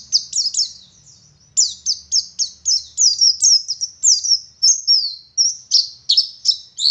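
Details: Oriental white-eye, local West Java bird of the Garut type, delivering a fast chattering song of sharp, high descending whistles repeated in steady series, a brief pause midway, then more twittering phrases.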